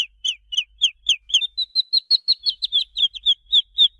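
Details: Chicks peeping continuously: about twenty high, clear peeps in quick succession, each a short note sliding downward, steady and loud with faint low hum underneath.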